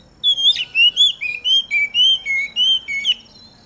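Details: Oriental magpie-robin sings a clear, bright series of about ten whistled notes. The notes alternate between higher and lower pitches at an even, rapid pace. A steady thin high whine runs faintly underneath. The bird is out in the dew, sung to spur other magpie-robins into song.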